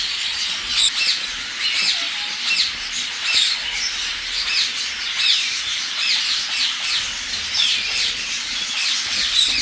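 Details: Several agitated, irritable grey parrots (jakos) keep up harsh, rasping squawks and screeches that overlap without pause, giving a noisy, agitated chorus.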